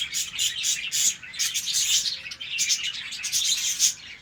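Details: Colony-bred budgerigars in the morning keep up loud, unbroken high twittering, with scratchy warbles and bright clicks repeated in quick clusters throughout.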